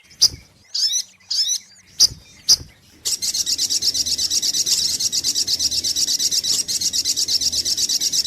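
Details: Sunbird, sogok ontong, on a lure recording: several squeaky twittered phrases and sharp chips, then a steady, fast, unbroken stream of high metallic repeated notes, about two per second.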